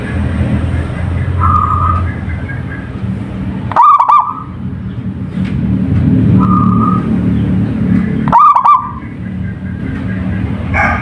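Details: Local zebra dove, wild-type, in full song and used to lure other doves into singing: two phrases, each a loud stuttered burst of harmonic coos running into a held, even tone, about four seconds apart, over steady low rumbling background noise.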